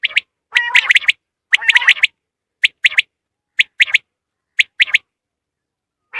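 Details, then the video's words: Common quail call used to draw in quail for hunting: clean three-note phrases of bright, clipped notes, the first few fuller and nasal, then spaced triplets about once a second in quiet surroundings. "زیادہ سے زیادہ بٹر پکڑنے کے لیے اس اواز کو استعمال کریں"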